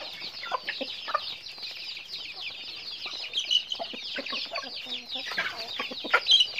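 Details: Daily activity of chickens: a high, crowded chorus of squeaky chirps and peeps, with scattered sharper notes and a louder cluster of calls in the final second.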